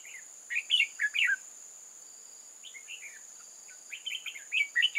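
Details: Red-whiskered bulbul serving as a decoy to lure wild bulbuls into a trap, 8 October 2018: lively, repeated bursts of bright chirping, warbled notes, a quiet gap mid-way, over continuous high insect drone.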